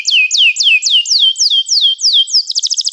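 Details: Canary song made of clear down-slurred whistles repeated about three times a second, closing with a rapid high trill.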